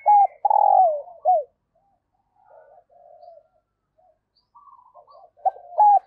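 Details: Female dove calling to stimulate males, loud and close: a burst of hollow coos, each falling slightly at the end, then softer murmured notes and another clear pair of coos at the close.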